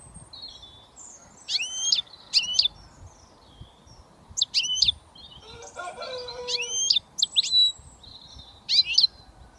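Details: Young British European goldfinch just beginning to whistle, giving short scattered bursts of high, sharp, tinkling notes with gaps between, and a lower harmonic-rich call from another bird near the middle.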